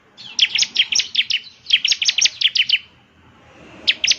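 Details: Bar-winged prinia song used as a lure to get a caged bird singing: two quick bursts of sharp, high, repeated chip notes, about six per burst, then a short pause and a final pair of notes.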